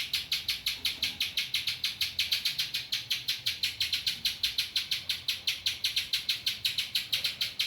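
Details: Spiderhunter with ciblek phrases in its song gives a long, even run of high, penetrating chip notes, close to six per second, uninterrupted from start to finish.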